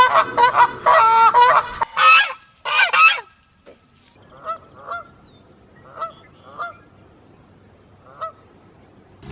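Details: A goose gives normal honking: loud, harsh, nasal honks in a rapid burst, then softer single honks about once a second.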